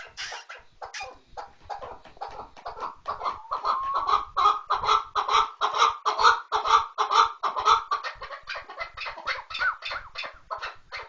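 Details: Chukar partridge calling in a fast, steady series of short, harsh, clucking chuk notes, about two per second, building in loudness toward the middle and easing slightly at the end, with no other clear sounds.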